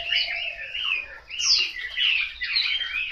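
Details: Caged Chinese hwamei at a home in Hanoi giving short bursts of varied whistled and harsher warbled notes, with brief dips between phrases.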